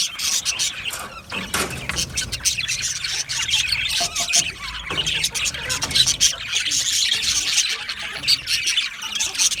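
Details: Budgerigar flock chatter for a lonely pet budgie: ongoing high warble of squeals, chirps and scratchy squawks, dense and unbroken for nearly ten seconds.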